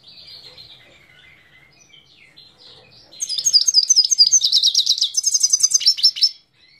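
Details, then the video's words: Himalayan goldfinch singing at Parachinar in 2022: after a few faint soft notes, a fast burst of bright, high twittering and tinkling trills runs for about three seconds, then stops abruptly. "Himalayan Goldfinch Singing"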